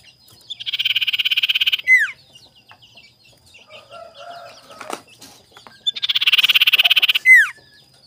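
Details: Tame captive collared scops owl calling to seek a rival, used as a lure: two harsh, rapidly pulsed rasping bursts, each about a second long, each ending in a sharp falling whistle, with soft chatter between them.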